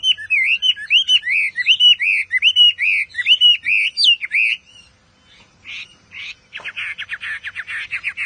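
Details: Chinese Hwamei delivering a series of repeated loud, arched whistled phrases, then a short pause and a rapid scratchy, rattling sequence of notes.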